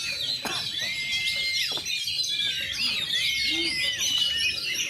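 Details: A young kacer sings on its first hanging, fluffing its feathers, in tembak and rambatan style: busy, unbroken high warbling with sharp chirps and thin whistled slurs, delivered in a steady rapid flow.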